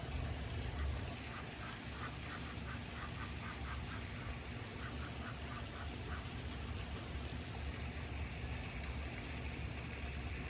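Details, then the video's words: Female Muscovy duck squeaking while sitting on her nest at an apartment complex in Oviedo, Florida, with three males in nearby grass; soft, short squeaky notes in loose series over the first six seconds, above a steady low traffic rumble. "Mom Duck Squeaks on Nest"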